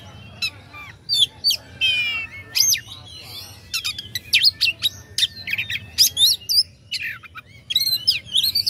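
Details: Song of an oriental magpie-robin meant to rouse rival birds, a dense run of sharp chips, rattling buzzes and whistled slides delivered almost without pause, faint hum in the background.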